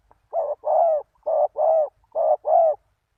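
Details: Spotted dove lure call used to attract wild doves: three pairs of mellow coos, each a short note followed by a longer, slightly falling one, delivered cleanly against silence.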